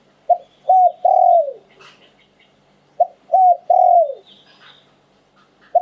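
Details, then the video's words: Spotted dove cooing in the Thai 'liu tan' song style: two phrases, each a short note, a looped coo and a long falling coo, about three seconds apart, low and mellow, with faint high chirps behind. "หลิ่วตัน คารม นกมงคล เสียงนกเขาใหญ่"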